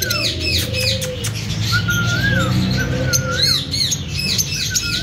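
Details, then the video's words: Lovebirds of a breeding pair squawk and chirp: rapid arched high chirps, rough squawks and short rising-falling whistled notes, with a constant low hum. "Lovebirds Singing &Chirping Sounds"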